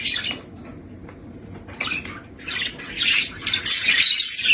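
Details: Pet budgerigar climbing a ladder back to its cage indoors, giving soft scratchy chirps and warbles that build louder toward the end, with a faint low background hum.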